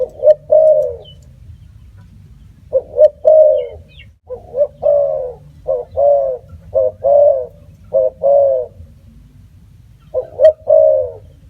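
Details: Spotted dove cooing repeatedly: a run of short-note-and-long-coo phrases, some clipped and close together, with faint thin chirps from another bird and a low background hum.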